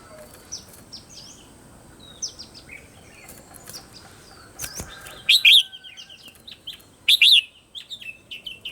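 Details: Red-whiskered bulbul morning song, recorded as a voice-training lure for other bulbuls: scattered high chirps, then two loud, quick warbled phrases of sharp rising and falling whistled notes, a faint steady tone in the background.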